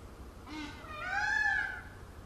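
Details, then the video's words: Peacock, dancing and spreading its feathers, utters a single loud, mournful, bending wail that swells and fades over about a second, with strong harmonic overtones and a softer lead-in note. "peacock sound"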